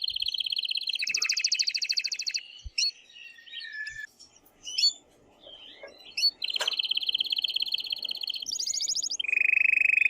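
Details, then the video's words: Strong song of an aroused male canary encouraging the female to mate: sustained rapid buzzy trills switching pitch, a quieter gap of soft chirps and faint tapping, then more loud rolling trills ending on a lower steady tour. "تغريد قوي جدا كناري هائج لتسميع الفراخ | canary singing"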